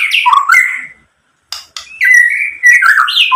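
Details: White-rumped shama song, used as a lure to provoke singing: loud whistled and slurred phrases swooping between mid and high pitch, broken by a short pause and sharp clicks before rich warbling resumes.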